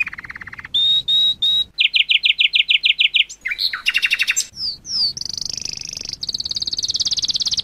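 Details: Training recording of lovebird ngekek panjang: choppy segments of high chatter, including a rapid pulsed run, harsh buzzy bursts and a closing stretch of fast even trilling, with abrupt cuts between parts.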